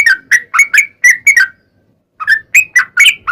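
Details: Sooty-headed bulbul in full song, a long rapid 'ropel' phrase used as a lure to draw other bulbuls into singing: bright bubbly whistled notes in quick bursts, a pause of about half a second, then another chattering run.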